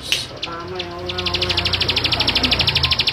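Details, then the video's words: A male Bar-winged prinia sings a fast, even run of high, sharp notes, about eleven a second, after a few scattered chips. A low hum sits underneath. "Suara Ciblek Sawah Jantan"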